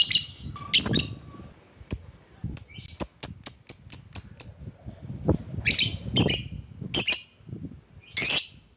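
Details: A lure lovebird calling rivals: a quick run of about eight evenly spaced, piercing high chirps, then louder raspy squawks, with low background rumble throughout.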